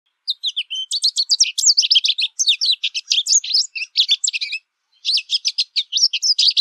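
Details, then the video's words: An American goldfinch singing at length outdoors in nature, a long, lively run of high, twittering notes and sweet warbled phrases, fast and varied, with a brief pause before it resumes. "PITASSILGO AMERICANO CANTANDO MUITO NA NATUREZA - CANTO DO PINTASSILGO AMERICANO"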